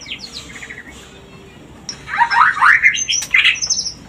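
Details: White-rumped shama mating-stimulation song: faint high twitters at first, then a loud burst of fast harsh chattering notes and a bright high phrase at the end.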